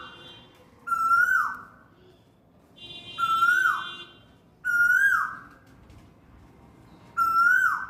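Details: Spring afternoon, an Asian koel perched in a courtyard guava tree, feeding on fruit and calling nearby: four loud whistles, each rising then dropping away, spaced roughly two seconds apart over quiet background hum.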